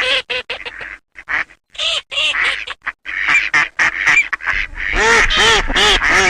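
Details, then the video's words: Eurasian teal calling in a noisy, rapid string of nasal quacks and short whistled notes, bunched irregularly and growing denser and louder toward the end, with several birds calling at once. "Il canto dell'Alzavola!"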